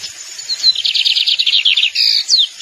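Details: Lined seedeater (tucero, corbatita or bengalí) sings a fast, high buzzy trill of rapid chips, ending in a sustained whistled note and a quick downslurred flourish.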